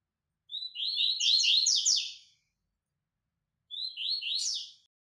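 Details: A White-throated Seedeater (Coleiro Baiano) in a training recording sings two high, fast twittering phrases, the first nearly two seconds long and the second shorter, with a quiet gap between them.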